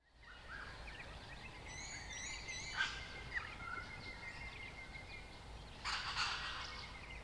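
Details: White-naped honeyeaters (Melithreptus lunatus) at or near a birdbath on a habitat-restored property in the Capertee Valley, NSW, late May to early October 2018, give thin, high chipping and whistled notes in quick, uneven runs, with a harsher burst near the end over background hiss.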